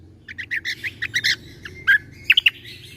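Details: Greater green leafbird (cucak kombo) song in the rapid-fire 'tembakan' style, used as a tutor recording for young white-rumped shamas: quick bursts of sharp, chirpy notes, then a slurred whistle and a few bright, clipped notes.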